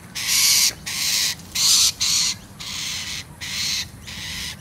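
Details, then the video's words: Injured Rainbow Lorikeet, likely fallen from a tree, squawking on the ground as a dog approaches: six harsh, rasping, high screeches of about half a second each, in quick succession. "injured Rainbow Lorikeet who started to squawk"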